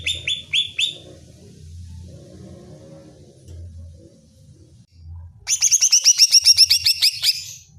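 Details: Provocation song of a greater green leafbird, meant to rouse another bird's aggression: a short burst of high repeated whistles, several seconds of near silence over a faint low hum, then a fast, loud, buzzy chattering trill.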